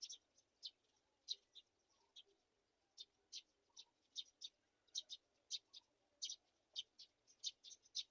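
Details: Black-shouldered kite chicks, feeding on a mouse, give thin, high squeaky chips, two or three a second in uneven bursts, over a faint low background hiss.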